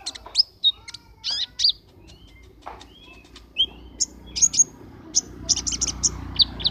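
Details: Caged brown-throated sunbird singing in an online singing competition in June 2020, from Temanggung, Indonesia. It gives sharp, thin, very high chips and short whistled notes, some in rapid clusters, with pauses between them over a faint low hum.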